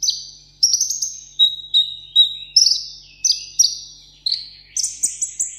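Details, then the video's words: Captive sunbird in solo contest singing: high, sweet whistled notes, each starting with a sharp attack then gliding slightly downward, repeated in short bursts about every half second, the last phrases rising higher and buzzier. "hút mật 7 màu hót đấu solo"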